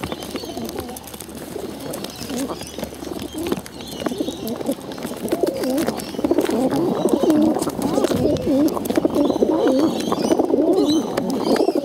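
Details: Hungry pigeons being bottle-fed: after a quieter, clattery start, a loud stream of quavering, undulating low squeals takes over, repeated rapidly and continuously to the end.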